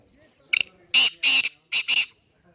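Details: Black francolin calling: a short click-like note followed by four loud, harsh, grating syllables in two pairs, strong and rasping, over a quiet background.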